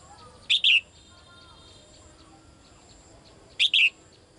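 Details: Calling to the male, a female bird gives two sharp double chirps some three seconds apart, a quick note then a drawn-out falling one; faint thin whistles sound softly between.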